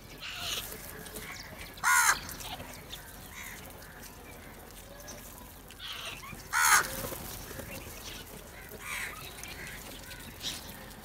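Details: Crows gathering and squabbling over food: two loud, harsh, broadband caws roughly five seconds apart, with softer distant calls and low background noise between them.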